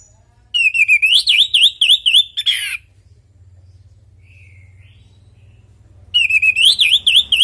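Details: Lure recording of a chatty orange-headed thrush singing its natural song: a loud, wavering whistled phrase swings up and down about four times a second, stops, then starts again after a quiet gap.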